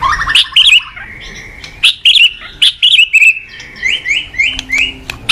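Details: Morning song of a caged white-rumped shama, a lure for training cage birds: opening chatter, then a run of short rising whistled notes repeated in quick succession.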